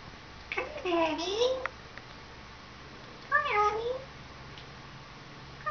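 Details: Pet female African grey parrot, about 14 years old, calling indoors in 2011: two drawn-out, wavering, meow-like vocal phrases separated by a pause, with a person speaking briefly.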